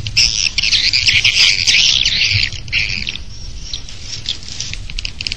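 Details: Swiftlets recorded outside a bird-nest house give a dense, high chattering twitter of rapid chirps for about three seconds, then thinner scattered chirps continue over a low background hum.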